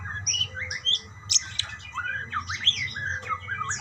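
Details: Budgerigars calling to each other with a jumble of rising and falling warbled notes, scratchy chirps and short squawky bursts, over faint low background hum.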